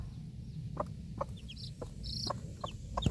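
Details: Mother hen outdoors with four chicks at feeding time, staying alert after a startling dog bark; sharp clucks roughly every half second mix with high sliding peeps from the chicks over low background noise.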